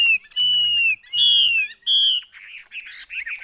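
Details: Chinese hwamei, a caged bird, gives long clear whistles that slide downward, one after another, then shifts into softer rapid chattering phrases.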